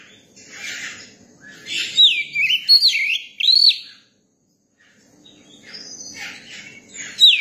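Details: Juvenile Oriental magpie-robin song: a burst of loud, slurred whistles with curling, swooping notes, then a pause. Soft scratchy chattering follows, with one sharp high note at the close.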